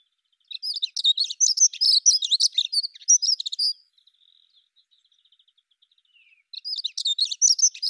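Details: Hurried, high-pitched Dunnock warbling runs for three seconds, a faint thin trill follows, then the jingling phrase starts again.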